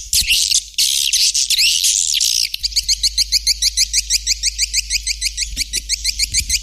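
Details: White-nest swiftlet calls: harsh high chatter at first, then a long run of quick, evenly spaced rising chirps, about three per second, over a low electrical hum.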